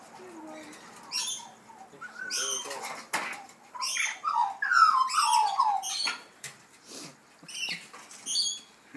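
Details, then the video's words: Australian magpies make weird noises: a run of warbling, gurgling notes sliding down in pitch, with sharp clicks, bursts of wing noise and a few high chips between. "Australian Magpies Making Weird Noises!"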